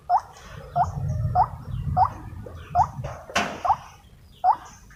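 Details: Wild white-breasted waterhen calling during trapping with a decoy, in an agitated state: short rising 'wuk' notes repeated about every half second, with one sharp click-like noise and low background rumble.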